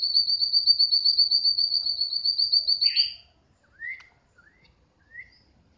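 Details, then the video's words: Tame pet Brown-throated sunbird raised from young, a fast high trill of rapid repeated notes lasting about three seconds, then a few short upslurred chirps after a pause. "Kolibri Wulung Jinak Gacor"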